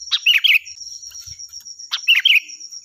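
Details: Chatty sooty-headed bulbul giving loud, ringing song used to train other birds: two quick phrases of sharp note then fluty up-and-down warbles, nearly two seconds apart, over a steady high-pitched hum.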